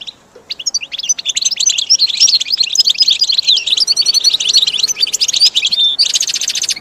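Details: Goldfinch song used to train caged birds: a dense, fast twittering of high chirps and short trills, thick and unbroken from start to finish, with a buzzy burst near the end.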